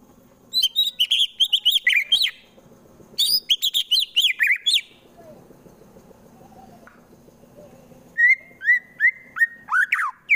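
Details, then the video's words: White-rumped shama in Central Java delivering a fighting song used to provoke opponents: two bursts of fast high twittering phrases, a quiet gap, then clear level whistles and sharp downslurred notes. "MURAI BATU FULL TEMBAKAN KASAR Sangat Cocok Dijadikan Lawan agar cepat Emosi dan Fighter"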